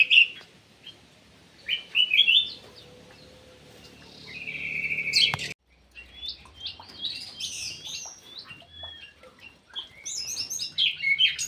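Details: Ground thrush kept in an aviary in Indonesia, singing actively: bursts of bright, high, warbled and whistled phrases, a sustained buzzy note near the middle, then a brief silence and more rapid, varied chirping phrases.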